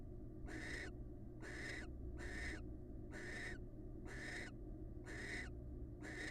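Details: Pair-bonding calls of wild barn owls: a steady series of seven harsh, wheezy hissing screeches about one per second, evenly spaced, over a low continuous hum.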